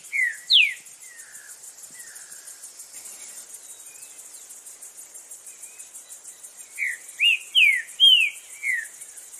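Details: Green-winged saltator heard in the wild in Brazil, with a couple of loud falling whistles, softer faint notes in the middle, and a closing run of four or five slurred whistles, under a steady pulsing insect chorus.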